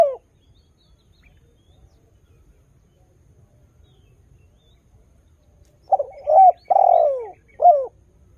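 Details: Spotted dove song meant to lure other doves into calling. Near silence for six seconds, then one phrase: short broken coos, a long falling coo and a brief final coo; one more note opens the recording.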